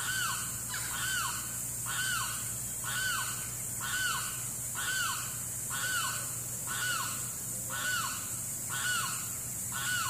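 A Limpkin gives loud, harsh, arching wails about once a second, ten in a row, over a steady high insect hiss and a low hum.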